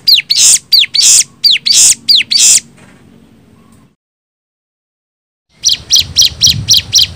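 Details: Bar-winged prinia song used as a lure to make wild birds answer, also for training caged birds: sharp high chirps with a downward hook, about four per second, broken by a silent pause, then a fresh run of notes.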